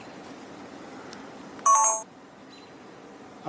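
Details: Faint room noise is broken by one short electronic beep and a soft click at the end, with no animal sound.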